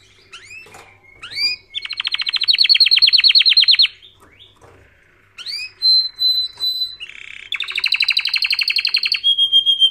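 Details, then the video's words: Canary singing, used for training other canaries: varied song with rising whistles, fast rattling trills repeated many times per second, a pause, then more sweeps and a long high rapid trill ending in a steady whistled note. "Canary Singing Video | The Best Canary Training sound"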